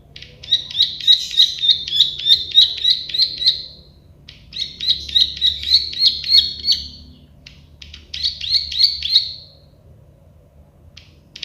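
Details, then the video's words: Three bursts of rapid, rattling klik-klik notes from a plain prinia (prenjak sawah), each phrase several seconds long with short gaps between, the clicks buzzy and evenly paced, ending with a few scattered ticks. "Masteran burung prenjak sawah klik-klik"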